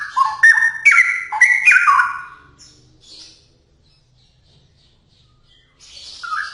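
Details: Straw-headed bulbul in full song, delivering a fast, loud run of mellow whistles that jump between low and higher pitches for two and a half seconds, fading into quiet before another warbled phrase begins.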